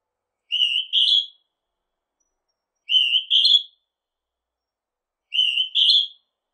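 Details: A Northern hawk-cuckoo gives three piercing two-note whistles, a level first note followed by a higher, upslurred second, spaced about two and a half seconds apart with quiet between.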